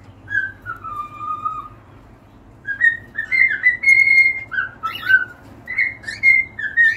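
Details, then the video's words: Singing cockatiels give a long, drawn-out falling whistle, then a quicker run of bright whistled notes and short slides, some with faint buzzy overtones, over a soft continuous low hum. "an hour of cockatiels singing"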